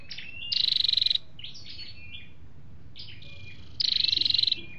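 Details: Flowerpecker recording of males and females, meant for trapping or exciting caged birds: two high rattling trills of fast pulses, each followed by a burst of thin chattering whistles.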